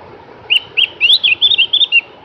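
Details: A cak gentong, the Javan grey-throated white-eye, sings a sweet, lively phrase of about eight high whistled notes, starting with two short chirps and running into a quick wavering warble over soft background hiss.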